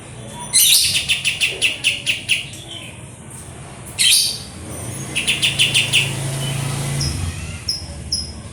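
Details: {'text': 'White-eared sibia, known as kapas tembak: two quick series of sharp, bright repeated chips, about eight per burst and roughly five a second, then fading high squeaks against faint low rumble.'}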